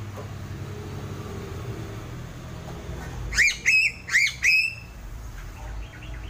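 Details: Sulawesi crow calling: four short, rising, slightly nasal upslurred notes given in quick succession, followed by faint softer notes, over a steady low background hum.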